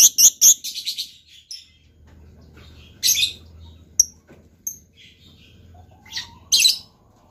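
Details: Lovebird singing in a showy style; shrill, harsh high-pitched chattering bursts, a quick run of them in the first second, then single sharp chirps and more squawky bursts around three and six and a half seconds, with a faint low hum beneath.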